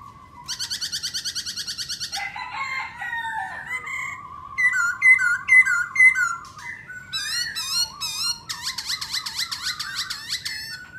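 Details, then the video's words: Black-throated laughingthrush singing and displaying: a rapid buzzy trill of repeated notes, then a varied run of clear whistled slurs, a steady level whistle, rising upslurs and quick bubbling phrases. "Khướu mun hót múa đỉnh"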